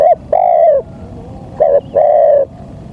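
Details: Spotted dove luring call for drawing wild doves near a decoy: a clipped coo, a long mellow coo, then a short coo and another long even coo, over low background noise.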